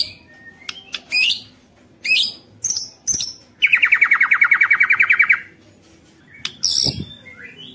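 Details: White-rumped shama in lively song, played to provoke other shamas: scattered sharp chips and harsh notes, then a rapid steady trill of about twenty-five pulses lasting nearly two seconds, and more chips after.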